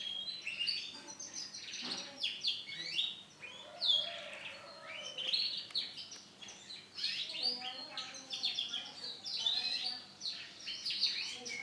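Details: Male canary with orange and black plumage singing a continuous, varied high song of fast trills, chirps and warbled phrases, rising and falling in bursts with short breaks.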